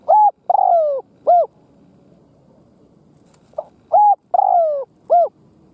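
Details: A caged decoy spotted dove cooing to provoke and lure wild doves: a three-part phrase of a short low coo, a longer falling coo and a short coo. The phrase comes twice, about four seconds apart, with quiet between.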